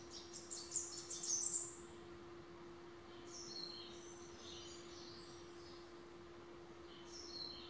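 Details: A male Rufous-capped Warbler on a balcony sings repeatedly at his own reflection, giving a quick burst of high, sharp chips, then fainter, thinner phrases over a steady low hum.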